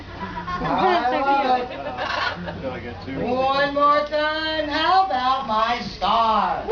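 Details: A parrot mimicking human talk in phrases of several syllables with bending, voice-like pitch, separated by brief gaps.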